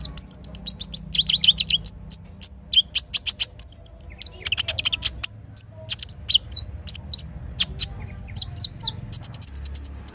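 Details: Dense morning song of a little spiderhunter: long strings of fast, sharp, very high chips mixed with brief looping whistles, almost without pause, over a quiet low river hum.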